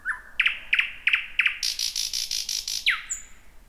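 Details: The year's first thrush nightingale, singing close to midnight in dense bushes: loud clicks repeated about three times per second, then a harsh, buzzing, rhythmic rattle and a final downslurred whistle.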